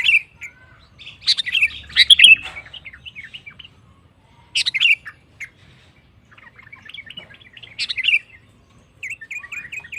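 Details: Sooty-headed bulbul (kutilang) singing in gacor style to provoke rival bulbuls: three bursts of bright chattering, warbled notes separated by quiet pauses, with softer trailing twitters between them.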